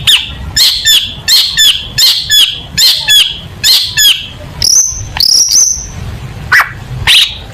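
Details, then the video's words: Long-tailed shrike in full tutor song for contest birds: about ten crisp chirps delivered in quick rhythmic pairs, followed by several long, high whistles and a few scattered notes. "Burung Cendet Gacor Full Tembakan Mewah Materi Lomba"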